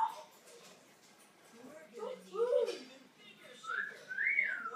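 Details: Pet African grey parrot, 21 years old, making soft warbling speech-like sounds, then two bright rising-and-falling whistles near the end against a quiet background.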